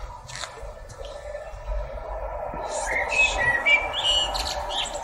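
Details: A blackbird perched atop a tree sings a few short, clear whistled notes with some higher chirps, half-buried under a steady background rush.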